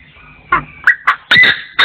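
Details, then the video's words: Partridge crowing, 2024: three short sharp notes speeding up into a loud, long raspy call, with a faint hum behind. "The latest sound of partridges in 2024 crowing"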